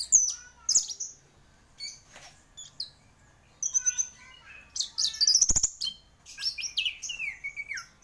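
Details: A champion orange-headed thrush sings busily in a high, varied stream of bright whistles, rattling trills, and downward-slurred notes, broken by short pauses, with a few sharp clicks mixed in.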